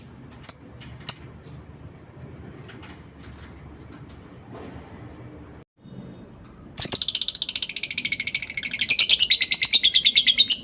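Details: Lovebird ngekek chatter, used as a lure to get other lovebirds chattering: after about seven seconds of near silence with a few faint clicks, a fast stream of shrill, rattling pulses starts and carries to the end.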